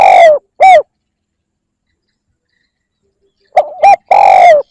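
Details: Lure call of a spotted dove: the end of one phrase with a long falling coo and short note, a pause of nearly three seconds, then a fresh phrase of quick double coos and a long slurred coo.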